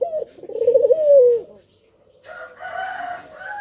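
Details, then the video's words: A male spotted dove calling as a lure to get other doves to sing: a short low coo, then a long throaty warbled coo that slides downward, followed by a pause and a brief rougher, brighter sound. "Puter Jantan Yang Gacor Suara Pancingan nya Sanggat Menggoda"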